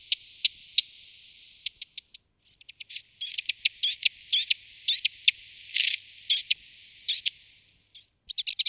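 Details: A male Subalpine warbler, feeding on aphids in Malta during migration, gives a run of dry, scratchy ticks and short buzzy chatters, irregular, bunched and high-pitched, with nothing else heard.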